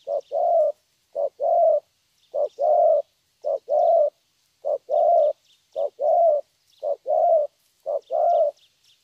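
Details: 'Thổ'-style song from a young wild-caught spotted dove, rich low coos in short-then-long pairs recurring at an even pace, while other small birds chirp faintly in bursts.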